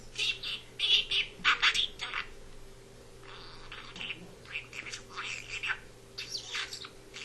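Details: A male pet budgerigar perched on his owner's head chatters in quick, scratchy warbles and squawks, his high mimicked talk coming in uneven bursts.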